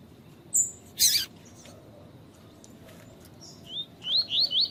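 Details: Double-collared seedeater (coleiro tui tui) tutor song with female calls, used to train and excite males: a few thin high whistles, then a quick run of bright rising slurred notes about three a second; a sharp click near the start.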